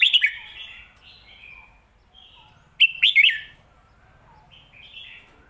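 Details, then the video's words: Red-whiskered bulbul performing lak wai and mae bot song styles. A clipped, bubbly phrase opens, soft warbles follow, then a second loud phrase of three quick wavering whistles, and a quiet trailing warble. "ลากหวาย/แม่บทชัดๆ เสียงดี"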